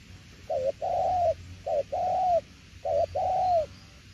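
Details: Spotted dove singing a đồng tiểu liên nước coo: three clear phrases, each a short dipping double note followed by a longer, smooth arched coo, with steady pauses between them.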